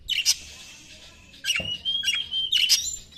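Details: White-rumped shama lure song: sharp, explosive notes followed by a long, steady, thin whistle, then more harsh bursts.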